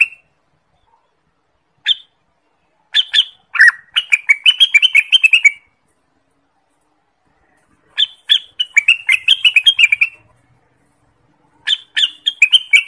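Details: Orange-spotted bulbul, endemic to Indonesia, song used as a lure for trapping and as a master song for training birds: several bursts of quick, sharp chattering notes separated by silent gaps, clean background.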